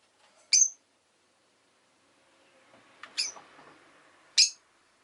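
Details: Rosy-faced lovebirds kept as pets utter three short, piercing chirps spaced a second or more apart, with a faint rustle and low background murmur between them.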